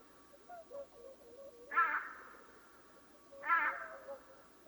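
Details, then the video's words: Swans calling before dawn: two loud, harsh, nasal honks about two seconds apart, with softer low murmuring notes in between. "Som de cisnes durante madrugada"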